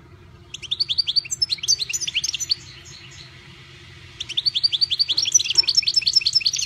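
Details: Privately owned European goldfinch singing: two bursts of rapid, high, twittering and tinkling notes repeated several times a second, separated by a short pause, over a low steady hum.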